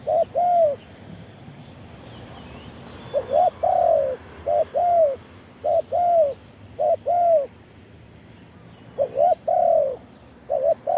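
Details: Decoy spotted dove cooing to call in wild doves, recorded live. Its phrases are doubled, hollow coos that swell and dip, repeated steadily with brief gaps, and the sequence restarts after a pause. Quiet background.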